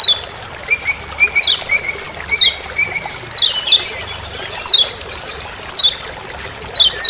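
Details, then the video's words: In Lombok forest a Lemon-bellied white-eye gives repeated 'ciak ciak' chips, high and sharply falling, some doubled, while a thinner level whistle runs beneath during the first few seconds. "Masteran Kecial Kuning Ciak Ciak Di HUTAN"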